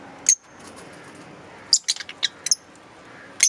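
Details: Green Fischer's lovebirds: an isolated shrill chirp, then after a pause a rapid cluster of five or six sharp high chips, and a final piercing chirp.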